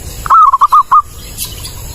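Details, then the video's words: Clear, loud zebra dove song used for luring birds: a single brief phrase of five quick rolling coo notes, starting with a higher note then steady, followed by quiet hiss. "Suara Burung Perkutut jernih, jelas dan keras cocok buat pikat"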